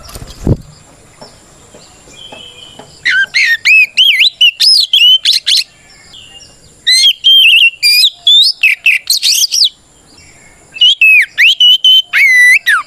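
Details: Singing oriental magpie-robin in fighting mode, a song used as a lure to make rival birds angry and respond: a brief thump at the start, then three long bursts of rapid, varied, ringing whistles and trills.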